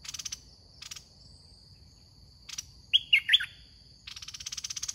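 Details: A caged decoy red-whiskered bulbul, used for trapping, gives one cluster of loud, chirpy whistled notes midway. Dense rattling insect pulses and a high steady whine fill the rest.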